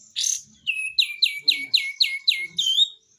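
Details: Pied triller in busy 'besetan' song style: a harsh burst, then seven sharp downward-sweeping notes repeated about every quarter second, ending in a buzzy flourish.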